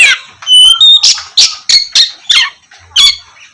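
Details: Oriental magpie-robin singing vigorously, used to prompt lazy magpie-robins to sing in the morning: loud bursts of harsh, scratchy notes mixed with clear high whistles, about eight phrases in under four seconds.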